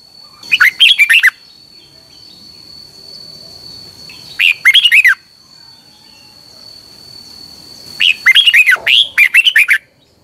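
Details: Caged red-whiskered bulbul from Thailand, sung as a training tutor played 30 minutes each morning to teach other birds. Three bursts of rapid, rich, warbled whistled notes, each about half a second to two seconds, separated by quiet gaps with a steady faint high tone.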